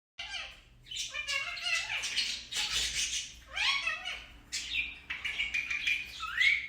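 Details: Pet Indian ringneck parakeet talking indoors: a run of varied, speech-like warbled phrases with gliding, bending tones and brief chattery bursts, rising to a thin high squeak at the end.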